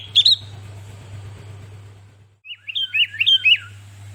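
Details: Tutored sooty-headed bulbul giving a lively song: one bright whistled note, a pause, then a quick string of four or five looping, slurred whistles, with a faint low background hum.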